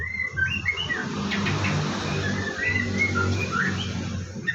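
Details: White-rumped shama at a bird farm in the morning, about to bathe, singing short whistled phrases over a steady loud hiss and low hum.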